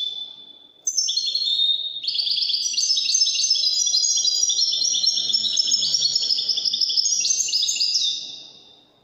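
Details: Goldfinch performing Moroccan Wydani-style song: one long unbroken run of rapid, liquid twittering and jangling trills, high and bright, rolling on for about eight seconds before fading out.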